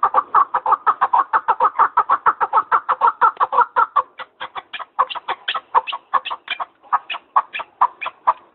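A partridge gives a long run of harsh, clucking chuck notes, about four a second at first, then slightly slower and more uneven.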